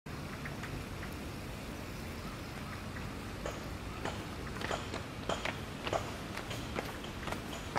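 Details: Irregular tapping and clicking over a steady low rumble, with no animal voice.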